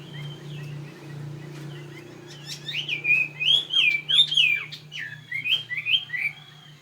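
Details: Tame fighting Chinese hwamei of Northwest Vietnam stock, in Saigon, opening with soft whistles, then a loud fast series of looping, slurred whistled notes, about three per second, over a low mechanical hum.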